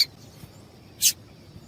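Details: Female Double-collared seedeater call, played to get males singing: a single short, very high, harsh chip about one second in, with a faint trace of another at the start over steady low background hiss.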